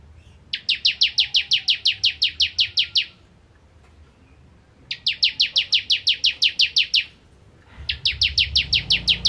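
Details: Bar-winged prinia (ciblek kristal) repeating its nembak ngentrok song: three long volleys of quick, shrill, uniform chips, each over two seconds long, with a low rumble of background noise near the end.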